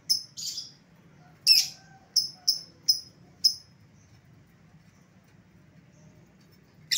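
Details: Lovebird lure sound for drawing an escaped lovebird back: sharp, piercing high chirps, a pair, then a single one, then four evenly spaced, plus a final chirp at the end. Silent gaps between them.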